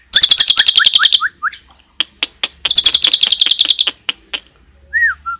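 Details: Asian pied starling song, 'tembakan' style with cililin fill, a fast chip series overlaid with short rising whistles, separate sharp clicks, another rapid chip run, then two soft slurred whistles.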